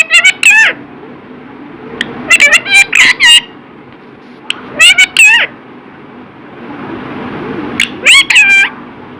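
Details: Parrot speaking "Radhe Radhe" several times: clusters of rapid, squawky, speech-like syllables in groups of two to five, strident and nasal, separated by short pauses with low background hum.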